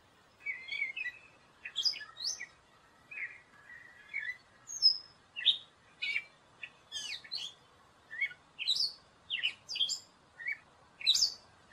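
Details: Gray catbird song: a long run of short, varied notes, squeaky whistles, chips and scratchy slurs, delivered in quick separate bursts about every half second against a quiet background.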